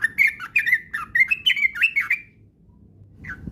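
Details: Sooty-headed bulbul lure song intended to make a kept bird sing fast and often. A fast burst of loud, bending whistled chirps lasts two seconds, then a short pause and one last note.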